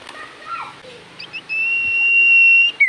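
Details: Common iora singing in full voice: after faint, murky notes, one long pure level whistle holds for over a second, ending in a brief downward slur.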